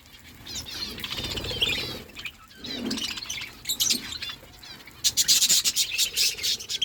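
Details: Budgerigars chirping while they feed, with soft warbles that give way to loud bursts of rapid clicking and high twittering toward the end.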